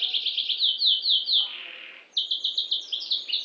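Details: Canary of the F2 type in full song, rattling off fast series of falling whistled notes in two bursts separated by a brief soft pause, each phrase a quick repeated chirping trill.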